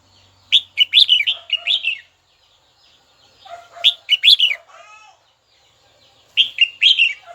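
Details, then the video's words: Caged red-whiskered bulbul kept as a song bird, singing to call a rival: three bursts of loud, rich warbled phrases, bright notes sliding up and down, with quieter softer notes and brief pauses between bursts. "Chào mào gọi bổi tố chất nhất"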